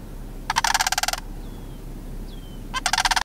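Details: Juvenile sandhill cranes, a pair at George W. Mead National Wildlife Area, utter two harsh, pulsing rattles about two seconds apart, separated by soft, high, downward-sliding whistled notes.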